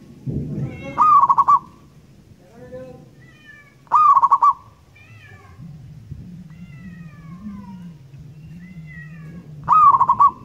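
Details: Wild local zebra dove in active song, recorded for luring: three phrases spaced about three seconds apart, each a rising note then a rolling run of short coos. Soft whistles from other birds and low background rumble between them.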